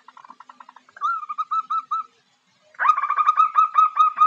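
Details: Zebra dove female calling to entice a male. Soft quick ticking, then a few hooked whistled notes, silence, and a loud, fast run of ringing notes.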